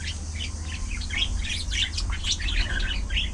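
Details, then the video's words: Colony of budgerigars socializing; rapid run of bright chirps and warbled chatter, several notes each second, from close birds over a low steady hum. "Budgie Parrot Colony! A Colorful & Chirpy Paradise!"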